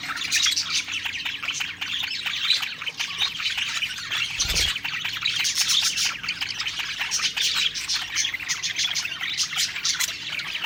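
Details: A flock of pet budgies singing while eating, an unbroken, bubbling chatter of high tweets and squeaks, briefly interrupted by one dull low thump.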